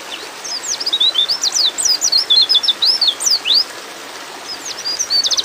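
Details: Calling to a male, a breeding-mood female white-eye gives a fast chain of high, thin whistled chirps, some rising and some dropping, that ends in a quick stutter.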